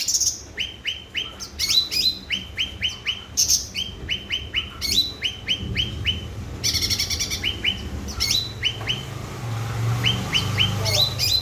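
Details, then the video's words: Cucak ranting bulbul singing energetically, used to prompt silent birds to sing: repeated short upslurred notes in quick runs of three or four, mixed with higher sharp chirps, with low rumbling background noise. "Burung Cucak Ranting Gacor//pancingan cucak Ranting Macet Bunyi."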